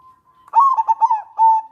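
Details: Local zebra dove cooing in the manggung and nretek style, used to lure doves and bring them into breeding condition: a soft rising lead note, then a quick stutter of rolling coos near one pitch ending in a longer held coo.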